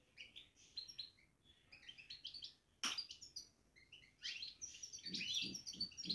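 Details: Caged goldfinch batbata: fast, tinkling, twittering phrases with a sudden snap midway, and soft low rhythmic thumps under the final seconds.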